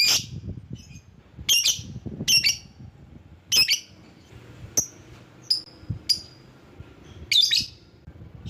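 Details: Lovebird calling to draw in other lovebirds, a mix of grating shrieks and thinner, clipped high chirps spaced irregularly, with a final burst of harsh screeches near the end.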